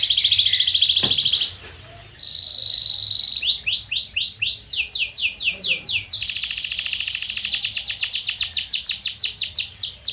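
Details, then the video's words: Lure song meant to start silent canaries singing: a canary opens with a dense, buzzy high trill, pauses briefly, then rolls through a flat trill, a series of rising-falling slurs, and a long rapid rattle of sharp notes. "Is Your Canary Silent⁉️🤫 Try This MAGICAL LURE for 5 Minutes!"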